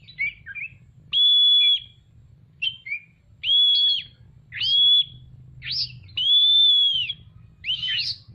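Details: Oriental magpie-robin singing energetically while spreading its tail: long, steady, high whistles of about half a second each, alternating with short twisting chirps and trills, over a faint low hum.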